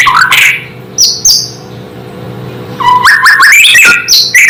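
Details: Song of a white-rumped shama, played to make rival shamas react: a few loud whistled notes, a pause with only a low steady hum, then a rising rush of clear whistles and high sharp notes.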